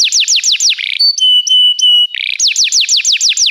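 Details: Canary song recorded for training: quick falling whistles, a short buzzy burst, several long level pure tones, another buzz, then rapid repeated descending notes again.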